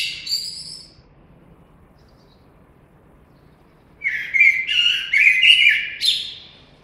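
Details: Common blackbird song beginning with the thin, squeaky tail of one phrase, then a silent gap before a loud, rich warbled phrase of several fluting notes ending in a high twitter.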